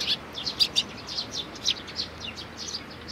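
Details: Sparrows with chicks, recorded 11 May 2019: continuous high chirping, with short notes repeated several times a second, some louder and some softer, over a quiet background.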